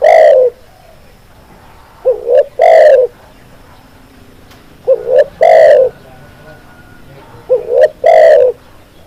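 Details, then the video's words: Spotted dove repeatedly cooing, meant to prompt response from other doves: each phrase has a pair of brief rising notes followed by a longer, rasping low coo, spaced roughly two to three seconds apart. "SUARA BURUNG TEKUKUR, MASTERAN CEPAT GACOR"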